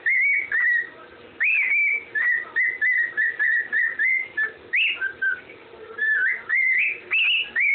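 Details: Andy Griffin tune whistled by a parrot: clear notes in quick succession, a few dropping lower, then rising swoops that climb higher near the close.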